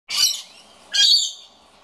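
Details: Scaly-breasted lorikeet complaining about an empty birdfeeder: two harsh, high, rasping screeches about a second apart, each a short noisy burst with a shrill whistled edge.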